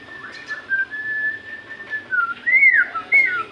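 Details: White-rumped shama whistling to prompt captive birds to sing: a long, steady, clear whistled note drawn out for about two seconds, then a louder arching whistle and a brief high slur.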